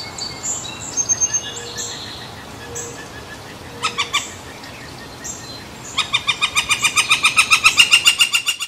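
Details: Woodpecker by San Francisco Bay, July 18, 2023: scattered thin chirps and short note bursts at first, then a fast, regular run of ringing notes that grows louder over the last three seconds.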